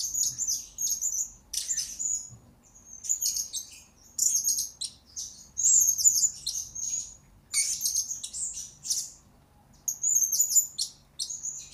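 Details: High, thin twittering of a blue-crowned hanging parrot kept as a master recording for lure birds, delivered in repeated one-second bursts of shrill whistles and squeaks separated by short silences.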